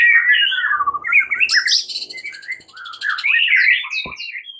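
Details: A white-rumped shama delivers a fighting-style morning lure song: descending whistled slurs run into a loud burst of buzzy high notes, then fluty rising and falling phrases.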